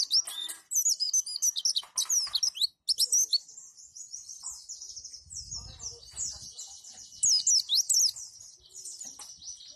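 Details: White-eye, locally pleci, delivering roll tembak and wituwit song for birds to learn by imitation. Continuous thin, very high chirps and zipping falling notes in quick succession, louder at the opening and near the end, with a soft low thump midway.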